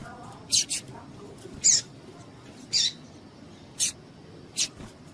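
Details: Calls of a female double-collared seedeater, used to excite males for singing tournaments: a doubled high chip followed by four single sharp chips about a second apart, fairly regular, over light hiss.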